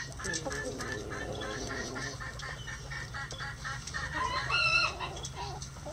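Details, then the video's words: Chicken coop at breakfast time, several hens murmuring in rapid low clucks, then a brighter, rising squawk near the end, with a faint steady hum throughout. "Feeding The Chickens | Relaxing Chicken Coop Sounds"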